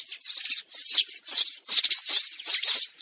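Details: Sparrows, flocking birds of everyday surroundings, in a sound used for trapping: five loud, scratchy chirp bursts within three seconds, each a cluster of rough high notes separated by brief silences.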